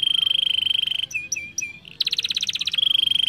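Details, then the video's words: Canary singing to prompt a young bird to sing fast and roll: a steady pulsed trill, a brief pause of soft low chirps, then a loud rapid rolling trill returning to the level pulsed tone. "pancingan Kenari muda cepat bunyi dan ngeroll"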